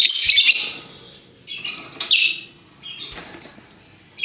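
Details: Colourful lovebird giving a ngekek call: an opening burst of harsh, rasping chatter, then shorter scratchy squawks spaced roughly a second apart over a faint background rumble.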